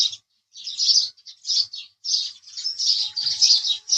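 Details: House sparrow chirps delivered in uneven bursts of bright, rasping notes with short gaps, over a faint low steady hum.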